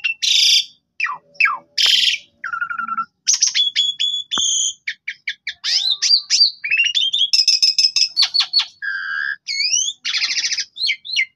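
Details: Black-winged starling lure song used to provoke a reply; harsh screechy bursts open a long varied medley of whistles, rapid clicking rattles, pure tones, rising sweeps and chatter.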